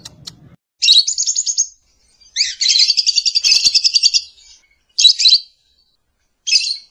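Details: Lovebird giving bursts of high, buzzy, rapidly pulsed chirps, each lasting about a second, separated by short silences, with a longer rattling phrase in the middle.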